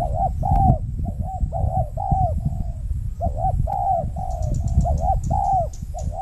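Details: Wild spotted dove on peatland in Riau Islands, Indonesia, calling toward a lure bird during trapping; continuous husky coo phrases over heavy low rumble, with faint clicking late on.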